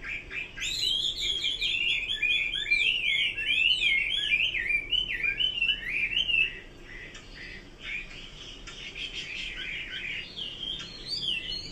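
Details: Chinese hwamei in continuous song, a rapid, varied stream of sliding whistles, trills and slurred phrases with brief pauses, loud and melodic throughout, against a low steady hiss.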